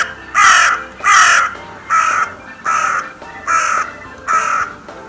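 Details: Crows calling at the Steinrevier site, 6 January 2022: a run of six harsh, grating caws, the first two loudest, evenly spaced under a second apart.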